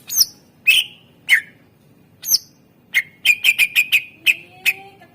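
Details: Greater green leafbird, a caged songster recorded to draw out other birds' song: a few separate harsh sweeping notes, then a fast run of about ten sharp, evenly pitched chips.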